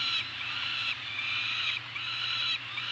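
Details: Two Peregrine falcons at Anacapa on 28 May 2018 during a food drop: long, harsh, wailing calls rise and fall in pitch. They come in segments of about a second, separated by brief breaks, over a steady low hum.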